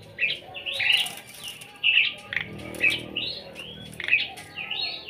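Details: Single starling in front of a house, giving short whistled notes about once a second, some rising and some falling, over a steady low background hum.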